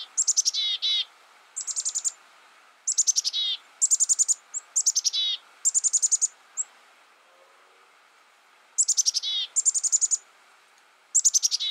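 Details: Black-capped chickadee giving phrase after phrase of steep, falling high chips followed by short buzzy notes, repeated roughly every one to two seconds over almost twelve seconds.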